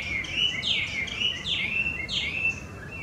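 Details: Chinese hwamei singing in the wild in Japan, where it is an invasive species: loud, clear whistles sliding down in pitch, repeated at a quick uneven pace.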